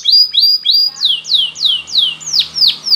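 A Spanish Timbrado canary sings bright, high, rolling phrases of repeated notes, about three per second, shifting from level chirps to sweeping downslurred whistles.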